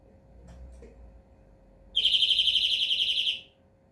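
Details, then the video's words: European greenfinch song: after faint low background rumble, one rapid, even, high-pitched trill of quick pulses lasting about one and a half seconds, then stopping abruptly. "Flurya Kuşu ötümü"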